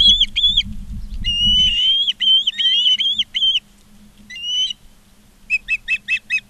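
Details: Ospreys at Charlo, Montana, filmed by a live nest cam on 19 August 2023 at 16:05: a clear series of loud, piercing whistled chirps and longer rising whistles, ending in four rapid sharp chip notes; faint low hum beneath.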